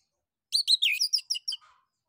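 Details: Orange-headed thrush song used as a prompt for other birds, a fast burst of about eight bright, buzzy chirping notes that drop slightly in pitch, finishing with a soft low trailing note.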